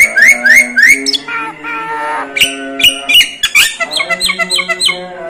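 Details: A Javan myna mimics other birds and human voices, mixing rising whistled chirps and drawn-out nasal tones with a fast, varied chatter of squeaky notes.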